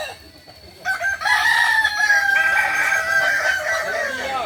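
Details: Balenggek crowing chicken in training at Ampang Kualo, Solok. After a quiet second, a long, loud harmonic crow begins and holds with slight wavering steps to the end, with faint other calls beneath.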